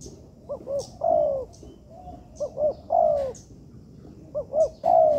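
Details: Tekukur (spotted dove) cooing in an artificial yard as training material. Three phrases of two quick hiccuping notes followed by a long, falling, rolling coo, with faint high chirps of small birds in the background.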